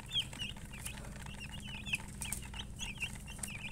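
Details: Chicks peeping in a group, scattered bright downward-curving peeps with brief gaps, a faint low hum and a few soft clicks behind them.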